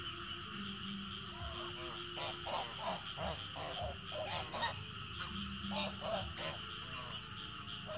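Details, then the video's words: Several geese in the evening give short nasal honks in an uneven series, several per second, fairly faint over a steady low hum and background noise. "Amazing Song Of Beautiful Goose In The Evening"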